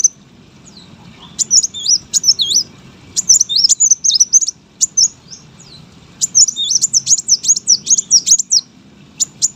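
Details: Masteran song of a brown-throated sunbird used for bird contests: bursts of shrill twisting notes separated by brief quiet spells over faint low background hum.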